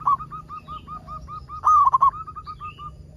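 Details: A local zebra dove gives a steady run of soft, short coos, then a single loud, quavering rolled phrase, then more soft coos. Its singing is meant to prompt other zebra doves.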